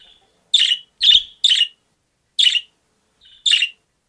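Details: A budgerigar gives five short, harsh, scratchy, high chattering chirps about a second apart, with faint softer notes between; seemingly the sound budgies make while pacing the perch when they want something or want out of the cage.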